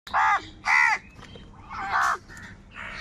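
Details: Crows fighting for food give four harsh, nasal caws, each about a third of a second long, with short gaps between them and faint background hiss.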